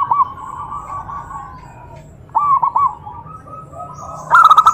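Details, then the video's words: Zebra dove calling to provoke other doves into answering. Short bursts of rapid, clipped cooing notes come in three separate groups, with quieter stretches of softer cooing between them. "Suara perkutut Bikin EMOSI perkutut lain naik Suara Langsung Nyaut"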